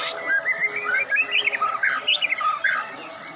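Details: A seven-month-old white-rumped shama, a competition bird entered in the adult class, pours out a fast, continuous run of rich, varied whistles and warbled phrases, with quick jumps between mid and high notes.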